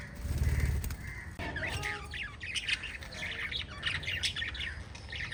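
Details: Five pet lovebirds chirping as a family group. A low thump opens, then a dense run of sharp, high, twittering chirps and squeaky squawks follows in rapid, overlapping bursts.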